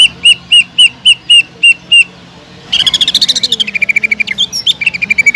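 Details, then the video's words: Greater green leafbird in spirited song, meant to lure other leafbirds: seven clear, separate whistled notes about a quarter second apart, then a pause and a fast rattling trill that falls to a lower pitch. "BEARAPI API...!!!TEMBAKAN PEDAS CUCAK IJO GACOR BUAT MANCING CUCAK IJO LAIN AGAR JAMTROK"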